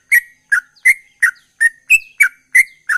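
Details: Rapid-style song of a sooty-headed bulbul: eight quick, sharp chirps in three seconds, crisp and evenly paced, one note rising slightly higher, with clean silence between them.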